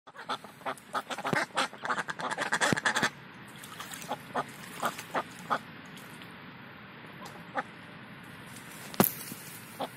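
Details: Indian Runner ducks having fun in the morning: a flurry of loud, harsh quacks and honking calls crowding the first three seconds, then scattered single quacks over steady background noise.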